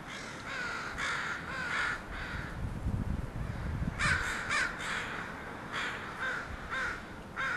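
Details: Crows from a group landing at a house make a racket: hoarse, harsh caws come in short bursts roughly every second, with low rumbling and rustling beneath.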